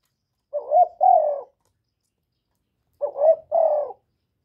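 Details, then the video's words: Spotted dove kept as a decoy and recorded without background noise to spur other doves; two identical coo phrases, a brief rising note followed by a longer falling one, separated by about two seconds of silence. "Cu gáy hạp bổi {GÁY GỌI+THÚC+KÈM+GÙ khống} kích bổi hiệu quả. Cu đất gáy, tiếng cu cườm. Cu gáy mồi"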